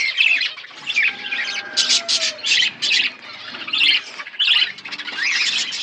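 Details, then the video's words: Budgerigars in an outdoor aviary, described as wild budgies, chattering together: dense bursts of scratchy, buzzy chirps and warbles, loud pulses roughly every half second to second, over a constant background murmur of flock chatter. "Wild budgies in my outdoor aviary birds chirping sounds"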